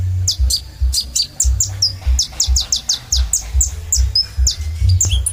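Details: Sunbird, known locally as kolibri ninja, in energetic song: quick series of very high, sharply falling chips repeated several times a second, with occasional thin whistles, over a constant low hum.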